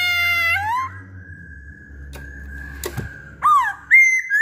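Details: Masked laughingthrush (poksay hongkong) kept as a cage bird, singing indoors: rich harmonic whistles and bent notes at the start and end, with a long steady thin whistled tone between and a brief click.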